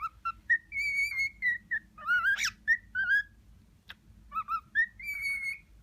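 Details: Young male cockatiel, six months old and sexually mature, courting a disinterested female indoors; sings short whistles, a long level whistle, sliding rising-falling notes and a sharp squeaky burst, with gaps between phrases.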